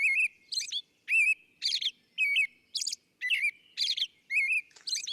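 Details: Male American robin (Turdus migratorius) in New York City: dawn song of a brisk run of clear, caroling whistled phrases, about nine in five seconds, mixed with thin, very high squeaky notes, followed by the excited, upset "winnie" call.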